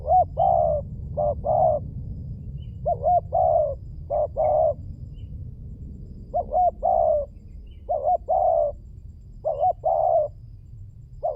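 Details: Lure cooing of a spotted dove, a long run of low mellow phrases, each a quick doubled hoot followed by a longer coo, repeated about every one to two seconds.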